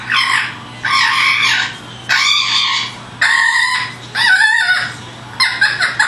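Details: Pet parrot practicing sounds in imitation of wild birds seen outdoors; harsh, harmonic squawking phrases of about a second each, repeated roughly six times with short quiet gaps between, recorded indoors.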